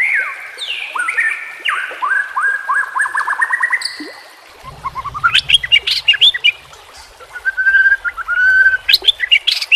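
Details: Captive-training song of a white-rumped shama, used to provoke and train caged birds: rich varied phrases of clear whistles, rising sweeps and rapid repeated downslurred notes, with a brief pause midway and a low rumble beneath the second half.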